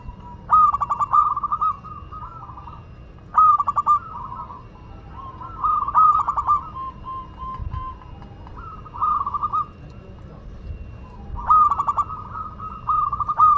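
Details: Actively singing local Madura zebra dove, repeating a stuttering cooing phrase about every two to three seconds. Each starts with sharp clipped notes and trails into a softer rolling coo.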